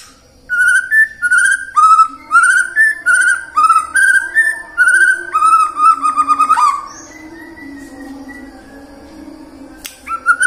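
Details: White-rumped shama song as a lure to prompt singing in the morning, midday and afternoon: a rhythmic run of about a dozen short whistled phrases, evenly spaced, then quieter chatter.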